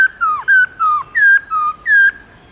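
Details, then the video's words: Forest-voice song of a white-browed laughingthrush, loud and clean: six clear whistled notes in steady succession, each held briefly and mostly slurring downward, some ending in a quick drop, with no other sounds. "khướu bạc má Hót Giọng Rừng"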